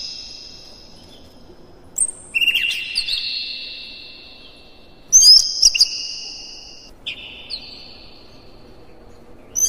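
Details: Provoking song of an Oriental magpie-robin, made of long, drawn-out clear whistles separated by pauses, each opening with a sharp click, over a low background hiss.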